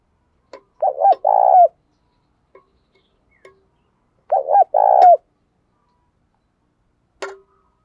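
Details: Spotted dove kept as a decoy, giving its 'thúc' and 'gáy' coo to lure wild doves; two phrases of quick stuttered notes and a long vibrating coo, with scattered clicks between.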